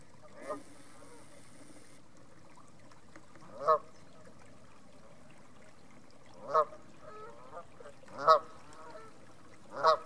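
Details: Geese at North Third reservoir near Stirling give repeated harsh honks at irregular intervals of two to three seconds, with a faint call at the start.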